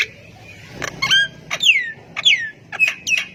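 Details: Javan myna singing vigorously to make other quiet mynas respond, giving harsh chatters and two loud whistled notes sliding steeply downward, then short buzzy chips against a faint background hum.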